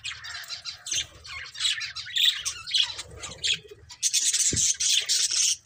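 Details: Pet budgerigar breeding pair keeping up a continuous, rapid, scratchy warble of high chirps. The chatter grows louder and denser toward the end.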